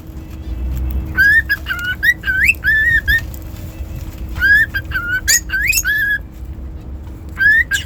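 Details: Cockatiel whistled song in lively runs of short upswept and flat notes, a few sharper high squeaks mixed in, separated by brief silences, with a low steady hum behind.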